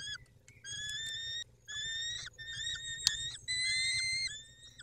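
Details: Peregrine falcon at the nest in the evening of 23 May 2021, the male attending to the females; loud nasal wailing notes, each held about a second and slightly rising, repeat with brief gaps, rich in overtones.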